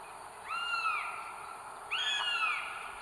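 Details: Female northern goshawk at her nest with three eggs in North Estonia, 30 April 2022, caught by a live nest camera: two drawn-out, slightly falling wailing calls with rich overtones, about 1.4 seconds apart, over steady background hiss.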